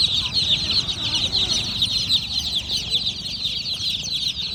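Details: Many baby chicks give rapid, high, thin peeps that blend into a constant chirping chorus, with a soft low background noise.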